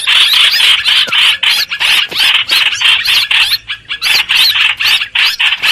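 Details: Lure recording of a streak-eared bulbul for bird trapping: loud, scratchy chatter delivered as rapid, uneven bursts of about three to four per second.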